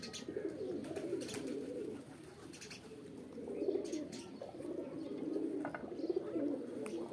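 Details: Group of pigeons cooing during a mating call, the low chorus pulsing in waves, quieter around the middle, with repeated sharp taps and clicks scattered across.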